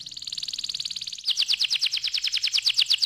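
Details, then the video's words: Canary trilling fast: a dense buzzy roll that switches abruptly into a quicker series of sharp, evenly spaced chirps. "ampuh membuat kenari muda gacor"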